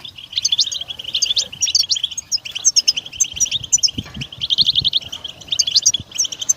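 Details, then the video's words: A European goldfinch pours out a busy, jingling twitter with trilled runs and high tinkles, set against a steady low background rumble. "Best beautiful stimulation of européen goldfinch"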